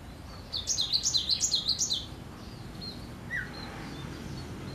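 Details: A cinereous tit in full song delivers a quick series of high, bouncing two-part notes for about one and a half seconds, then falls quiet apart from a single lower chirp and soft distant calls.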